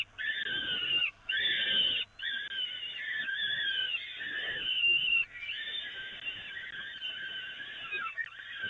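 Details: Feeding time for peregrine falcons on the Evoluon nest grating in May 2018. Nearly unbroken, grating wails run in long stretches, broken by brief pauses about once a second early on.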